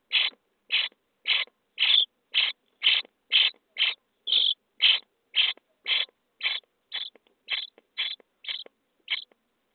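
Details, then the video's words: Common starling nestlings begging in their nest box on day 23 of feeding: a fast, even series of short rasping notes, almost two per second, kept up for ten seconds at moderate loudness. "Szpaki w budce dzień 23 - karmienie piskląt"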